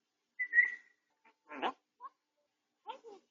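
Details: Pet grey parrot recovering from a beak-tip injury, under treatment and medication, recorded indoors on a home camera: a bright whistled note, then a rough burst and scattered short chattering syllables between quiet pauses.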